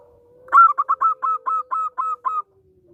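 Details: Local zebra dove singing, used to prompt other doves into song and as a lure: a quick run of about nine clipped cooing notes over a faint steady low tone.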